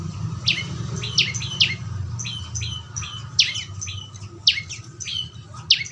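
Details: Calls of a young prinia known locally as prenjak lumut, played to coax another bird into full song: bright, steeply falling chirps, often doubled, repeated every half second or so against faint hum.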